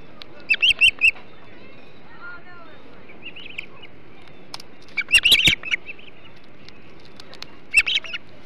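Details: Hog Island ospreys at the nest with a huge flounder meal, 08.05 on 21 July 2016; clusters of shrill whistled chirps in three separated bursts, with quieter piping between.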